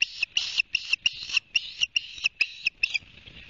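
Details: Osprey at a nest in Barnegat Light, New Jersey, 29 June, nest-camera recording: a steady string of about nine loud, high, piercing whistled yelps, evenly spaced and each slightly downslurred, fading out at the end.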